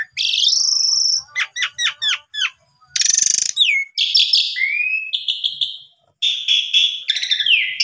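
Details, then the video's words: Asian pied starling lure song intended to make birds show off their songs: a long high whistle, a run of quick downward chips, a harsh buzz, then slurred whistles and fluty phrases. "Pancingan Jalak Suren Biar Bongkar Isian"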